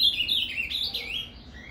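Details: Ultramarine grosbeak (azulão) singing a Paraná-style song, used to stimulate a captive bird: a quick warbled phrase of sliding, slurred whistles that descend and fade out at the end.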